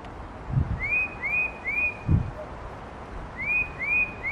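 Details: A tufted titmouse calls with clear, upslurred whistles in quick runs of three, pausing between runs, over two low thumps and a faint background hiss.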